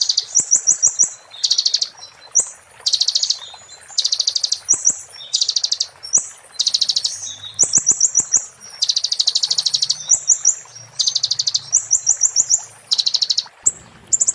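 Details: Konin, the Oriental white-eye, in 'muntah beling' song used to tutor magpie-robins and shamas: dense high chattering bursts alternating with thin whistled slurs, phrases about one second long following each other almost without break.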